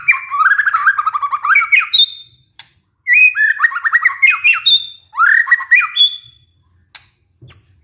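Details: White-rumped shama lure song used to restart singing in a stressed caged bird: three loud bursts of rapid, rich trilled phrases, each ending in a high clear whistle, with short pauses between.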